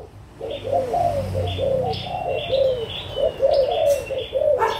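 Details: Adult spotted doves of Malaysian and Thai stock, recorded 16 March 2022, give a run of soft, mid-pitched rolling coos repeated steadily, while high thin chirps from other birds sound in the background.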